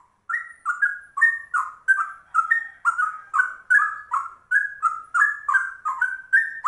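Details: Straw-headed bulbul starts a ropel-style trucuk song after a short pause, then pours out rapid, melodious warbled notes that swing between lower and higher pitches in a continuous stream.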